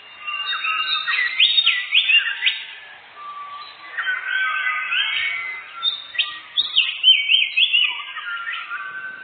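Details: Canary lure song for forest bird hunting, with continuous lively warbling of rapid trills, steep whistled upslurs and chirps in several loud phrases and brief quieter gaps.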